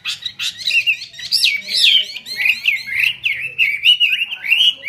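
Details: Chinese hwamei singing in the 'hót xòe' style with an eagle-wing display: a rich run of loud, fast, varied whistled notes, slurred up and down, with some rising sweeps and quick twisting phrases.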